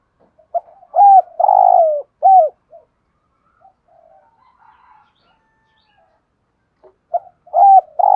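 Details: Spotted dove delivering varied provoking coos to stir wild doves into calling: loud, low hooting notes, one drawn out and hoarse, then a long quiet pause before another burst of clipped coos.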